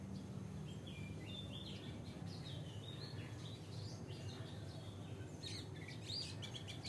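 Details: An Oriental magpie-robin (Copsychus saularis) gives its wake-up song of short, varied whistled phrases with rising and falling notes, fairly faint against a steady low background rumble.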